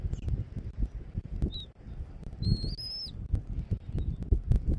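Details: Bald eagle at its Southwest Florida nest, recorded by a fixed camera on 13 January 2024 at 14:17. A brief high peep is followed by one long, thin whistle that rises slightly before falling away. Heavy low-pitched wind noise throughout.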